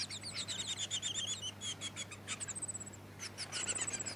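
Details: Splendid fairywren of the black-backed subspecies melanotus in Victoria, Australia, in December: rapid, very high, thin notes run into a brief reeling trill, then a short pause and another burst, over a faint background hum.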